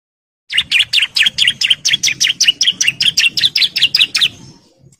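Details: Breeding male bar-winged prinia calling for females with a steady 'ngebren' rattle: about sixteen bright, clipped chips repeated quickly and evenly over almost four seconds, then fading out.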